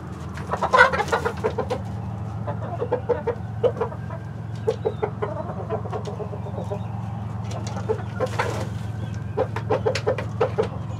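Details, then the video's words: Hens of several breeds with a Rhode Island Red rooster on a continuous live feed; a lively run of clipped clucks opens, then quieter intermittent clucks over a steady low hum. "12 Hours Of Chicken City Live Stream With Relaxing Nature Sounds"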